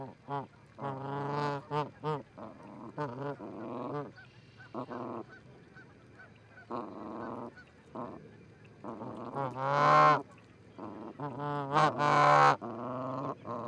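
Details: Canada geese, a pair at an osprey nest in Charlo, Montana, 4-7-18, picked up by a nest livecam: loud nasal honks in irregular runs, some rising and cracking, separated by brief pauses.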